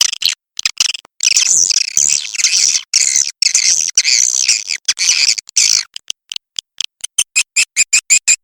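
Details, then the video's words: Swiftlets in the red macan calling style, said to get a response. Thick, high twittering chatter runs through several sustained stretches, then breaks into a quick series of short clipped chirps repeated about four times a second. "SUARA WALET MACAN MERAH"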